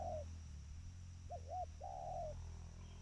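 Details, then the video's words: A trained spotted dove calling: the tail of one coo, then two short hoots and a long, slightly descending purring coo, against a constant low hum. "Suara panggilan tekukur ajaran"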